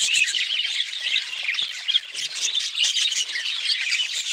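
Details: Budgerigars squawking harshly over an unbroken background of high twittering flock chatter, the loudness rising and falling in quick surges.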